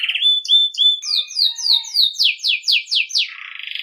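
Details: Belgian canary's campainha (bell) song for training young birds: upward slurred whistles, then a run of rapid descending swooping notes about five per second, ending in a fast buzzy trill.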